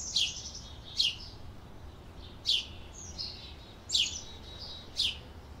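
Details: Canary calling with crisp, high, downward-sweeping chirps at irregular intervals of about one second, with fainter twittering in between, heard over a low background murmur.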